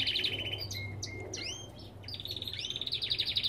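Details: Belgian canary song in an aviary: a fast trill, then clear whistled upslurred notes and chirps, returning to a quick rolling trill, with low hum behind.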